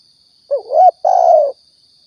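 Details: Spotted dove from Riau, used as a lure for trapping and hunting: a short, low coo rising and dipping, then a longer steady hooted note, over a constant thin high-pitched electronic whine.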